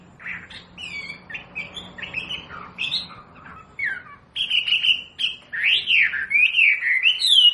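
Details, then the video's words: Masteran wambi recording for captive birds learning song: scattered short whistled notes at first, then louder, fuller sweeping whistles and trills building toward the end. "SUARA MASTERAN BURUNG WAMBI BELAJAR BUNYI PASTI IKUT NYAUT"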